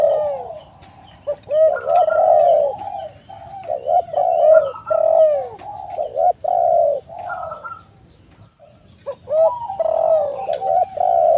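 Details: Several spotted doves calling together, dense overlapping hooting coos repeated through most of the recording with a brief lull, thin faint upper whistles and a steady high-pitched hum.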